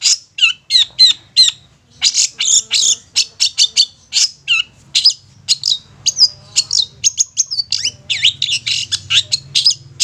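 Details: Long-tailed shrike, satu titik nagen tegak style, sound meant to lure young or wild shrikes: loud, dense run of varied sharp chips, harsh notes and brief rising and falling whistles, nearly unbroken for ten seconds, low hum beneath.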